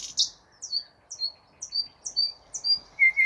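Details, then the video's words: Unidentified bird singing beautifully. Clear high whistled notes, each a short sharp onset sliding into a level tone, repeat about twice a second and end with two lower whistles, over a faint background hum. "Неизвестная птица красиво поет"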